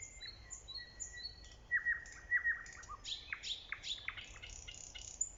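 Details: Nightingale song recorded in early spring: long steady whistled notes held at one pitch, then a quicker run of sharp falling sweeps and bright chirps, with a faint low rumble underneath.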